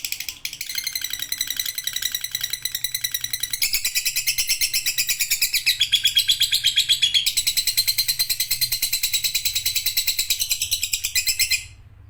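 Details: Prolonged lovebird chatter, a continuous high, buzzy rattle of very rapid pulses that grows louder after a few seconds and carries on for over ten seconds before stopping abruptly.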